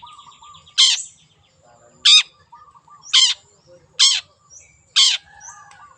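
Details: Five harsh, grating notes from a wild long-tailed shrike, each sweeping downward, about one per second, interspersed with soft low chatter and short twitters.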